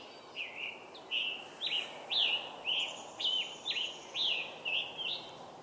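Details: Northern Cardinal singing on a 27 May 2023 tour, with a Gray Catbird and American Crows also calling nearby: a run of about ten loud, slurred whistles, close to two per second, over a steady outdoor hiss.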